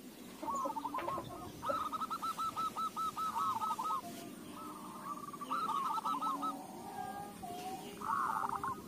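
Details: Zebra dove song used as a lure for other doves: several rapid, rolling cooing phrases in a row, some quieter and distant, set against steady broadband background noise and a low rumble.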